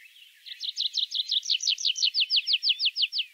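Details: Song of a tree pipit recorded in Central Russia: a steady, fast series of about sixteen loud, sharply slurred notes, each repeated near three times a second, slightly slowing toward the end.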